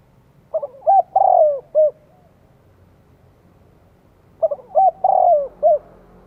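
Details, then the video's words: Lure call of a spotted dove, played to draw in wild doves in Vietnam: two matching phrases of short stuttered coos, a long sliding coo and a closing note, about four seconds apart, in quiet surroundings. "Tiếng chim cu gáy gọi kích mồi hiệu quả"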